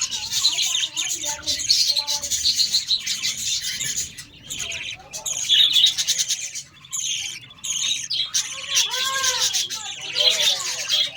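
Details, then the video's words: Parrots in a colony, Australian parrots, calling together: dense, continuous high chirping and buzzy chatter with rising and falling warbled notes, overlapping from many birds with brief lulls. "Australian Parrots Colony"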